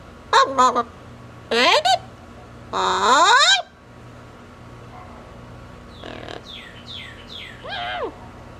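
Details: Pet female double yellow-headed amazon parrot during an outing from her cage, giving a series of loud harmonic, swooping vocalizations, some rising then falling, followed by softer quick chirping phrases; indoor room hum underneath.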